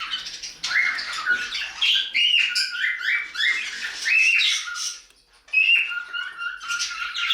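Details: Pet budgerigars in a home bird room, a hen in her nest box tending newly hatched chicks: continuous busy chattering of high, scratchy warbles and squawks with short rising whistles, briefly pausing near the end.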